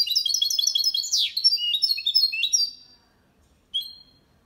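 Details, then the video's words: Malaga-style song from a goldfinch and canary hybrid, clean and meant for training males; rapid high twitters and a short downward sweep, then silence and a single chirp. "Mixto jilguero cantando copia malaga _ Hybrid of goldfinch singing for training songs"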